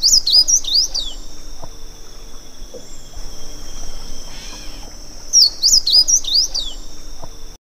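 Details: Two sweet, high phrases of a Slate-blue seedeater, each a fast tumbling sequence of slurred whistles about one second long, the second coming some five seconds after the first, with a steady high hum between.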